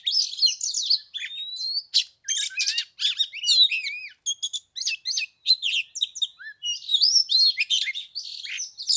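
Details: Oriental magpie-robin singing on the third day of Tết (Lunar New Year) in 15-degree cold, at the start of spring. A rich, continuous run of varied whistles, sweeping slurs, chirps and scratchy notes, all high-pitched with brief gaps and no other sounds.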